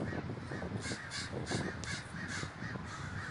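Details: Big crowd of crows gathered in Davis, California, giving loud raspy caws in quick succession, several birds overlapping, over low background noise.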